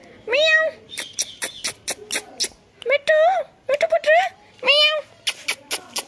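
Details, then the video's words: Healthy, talkative pet ringneck parrot saying cat-like 'miyaon miyaon' loudly and fast: several nasal meow-like calls mixed with sharp clicks, indoors. "he is saying mithu put and miyaon miyaon cat voice very loudly and very fast"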